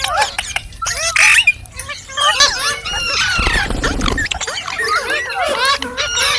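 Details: Green parrot chirping with a busy run of short, twisting whistled notes and squeaky calls, broken in the middle by a brief rough, noisy burst.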